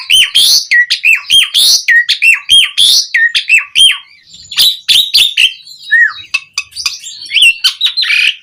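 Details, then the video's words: Asian pied starling calling other starlings with lively song: fast repeated dipping whistles and harsh chatter, then a softer, scattered stretch of squeaky notes and a rising whistle. "Suara Jalak Suren Gacor Memanggil Burung Jalak"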